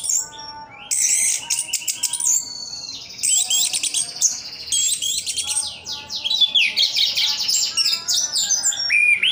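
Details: Orange-headed thrush, a caged bird from Sidoarjo, East Java, in full song: long rolling sequences of high buzzy trills, rattles and whistled slides, delivered almost without break.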